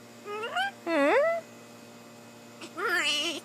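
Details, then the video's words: Blue-and-gold macaw perched on a person's shoulder, talking and jabbering: three harmonic, voice-like bursts, two rising then falling in pitch and a later buzzier, wavering phrase, separated by short pauses. "talking and jabbering (Macaw Talking, Parrot Talking)"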